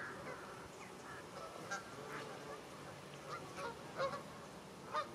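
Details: Flock of over 100 Canada Geese grazing in a Wiltshire stubble field in October 2019; overlapping honks from many birds at varying distances, a few louder ones standing out near the end.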